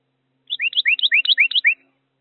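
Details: A Carolina wren visiting an urban bird feeder sings a loud, rapid burst of about six repeated phrases, each a ringing upslurred note into a higher clear one, over a faint low hum.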